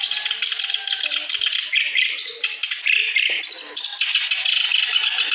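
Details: Vigorous clamorous reed warbler singing to stir other birds into song, delivering quick, scratchy, chattering bursts and sharp high notes in a steady, hardly interrupted flow.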